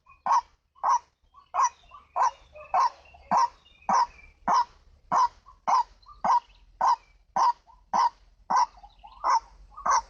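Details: White-breasted waterhen, called ruak-ruak locally, recorded as a bird lure: loud, harsh, clipped notes delivered in a steady series roughly every 0.6 seconds, about sixteen in ten seconds, with faint softer notes between them.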